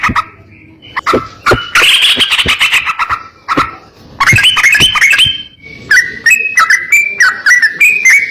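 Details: Sooty-headed bulbul master song for teaching other bulbuls: scattered sharp clicks, then a dense chattering burst, followed by a series of short whistled phrases stepping up and down in pitch.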